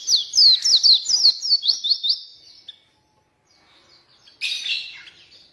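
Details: Oriental white-eye song used to lure and teach reluctant white-eyes: quick high descending chirps that trail off into silence, then a brief rough, buzzy note.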